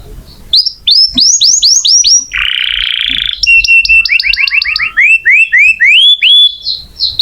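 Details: Energetic canary song as a training model for magpie-robins: a run of rising whistled slurs, a dense buzzy roll, then stepped trills of repeated upswept notes climbing in pitch.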